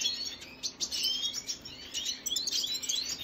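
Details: Song of a Venezuelan red siskin, 25 June 2022: bright, hurried twitters and rising slurred whistles in short bursts, delivered in quick succession above a faint steady hum.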